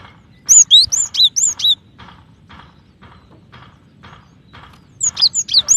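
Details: Female cinereous tit calling a male, with a lively series of about six bright, high chirps, faint soft ticking during the gap, then another rapid run of chirps.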